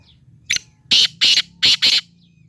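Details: Harsh, grating calls of a black francolin (kala teetar, Sindhi teetar): a short clipped note followed by two paired bursts of loud, scratchy notes, with a faint low hum underneath.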